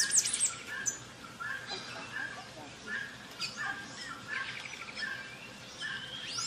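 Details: Orange-cheeked parrot (Pyrilia barrabandi) at Jardim da Amazônia, Mato Grosso, Brazil, recorded 14 June 2024: scattered short harsh chattering notes among other high chirps in a busy forest background.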